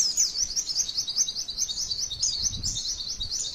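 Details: Female white-eye song used as a training recording to draw other white-eyes into singing, with long rolling 'cerrrr' trills and 'wit wit wit' notes: a dense, unbroken, high twitter of quick rising and falling slurred notes throughout.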